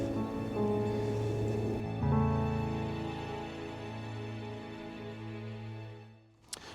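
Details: Slow, sustained instrumental music with low held tones that gradually fades, ending in a brief sharp click.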